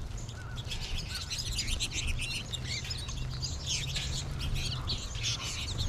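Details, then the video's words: Flock of American goldfinches late in the season, with more birds in the trees overhead: continuous jumbled high twittering and quick chirps from many birds at once, over constant low-pitched background rumble. "American Goldfinch flock"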